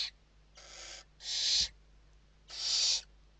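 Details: Western barn owls inside a nest box in Spain during evening feeding, 29 November 2023: harsh broadband hissing screeches, each about half a second long, repeated with short gaps, with faint low hum behind.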